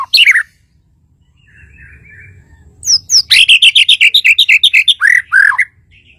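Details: Shama from Kalimantan lets out a sharp falling whistle, pauses over faint background hum, then delivers a brisk, regular series of bright chirped notes, about four per second, finishing with two slurred downward whistles.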